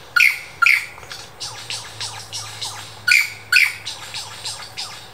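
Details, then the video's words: Superb lyrebird, Dandenong Ranges Botanic Gardens, copying local birds and laser gun sounds: loud clicking double notes like a camera shutter in pairs, between quicker falling zaps, with a low hum underneath. "Lyrebird the master mimicker"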